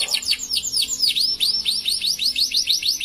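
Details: Canary singing a long, varied song in the lively gacor style, a rapid run of downward-swooping whistled notes roughly every fifth of a second, bright and high, steady throughout with no other sounds.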